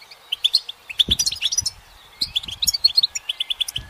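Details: Goldfinch singing while perched on a branch in sunlight: quick, bright, high twittering notes and tinkling trills in two bursts separated by a short pause, with faint low knocks underneath.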